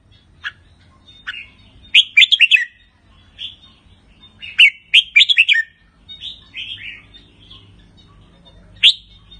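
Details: Pala-U strain red-whiskered bulbul from a farm, singing doubled phrases and rik notes: rapid bubbly warbled bursts of several notes, repeated about every three seconds, with softer single notes between.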